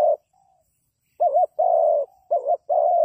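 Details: A decoy spotted dove kept for bird trapping gives low cooing. A sustained coo fades out, then after a pause two paired phrases follow, each a warbling double note and a long even coo.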